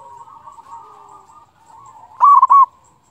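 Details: Local zebra dove singing in top form, used to provoke other doves into calling. A soft wavering coo is followed by one loud, abrupt, broken burst of mellow cooing notes.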